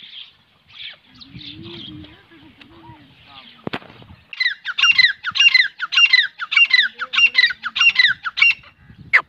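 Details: Teetar, or francolin: faint scratchy sounds and a sharp crack at first, then a loud run of harsh, rasping, rapidly repeated notes, about two each second, over the last five seconds.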